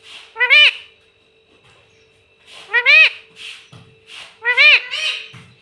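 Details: Talking pet parrot, said to call "mummy" and "papa": three bursts of strongly rising, harmonic upslurred notes, the last a double. Softer hissy sounds fall between them, with a steady low hum behind.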